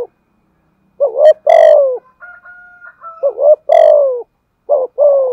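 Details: Spotted dove acting as a decoy, cooing thúc gù style with a giọng thổ voice. Coarse phrases of a short rising note plus a long descending coo are broken by a faint thin whistled tone.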